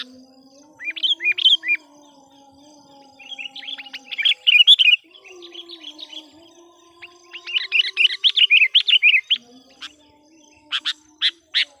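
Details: Decoy sooty-headed bulbul, trained to call wild bulbuls, sings varied bubbly phrases: scattered chirps, then a loud chattering run, ending with a few sharp separate notes. A faint low hum runs underneath.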